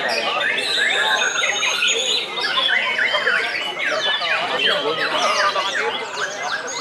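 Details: White-rumped shama (murai batu) in a singing contest, pouring out loud, continuous varied song of sweeping whistles, rapid trills and harsh notes, overlapped by other competing birds and background chatter.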